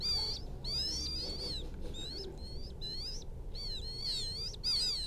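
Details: Quail chick calling for its mother with long, wavering high whistles and falling peeps, run almost together, over a noticeable background rumble.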